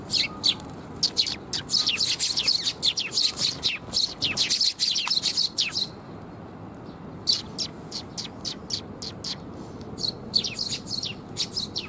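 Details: Several sparrows arriving at a platform to be fed, recorded 7 June 2021. Rapid bursts of short, sharp, high chirps overlap for six seconds, then after a brief lull come separate, spaced chirps in ones and twos, with a faint low hum beneath.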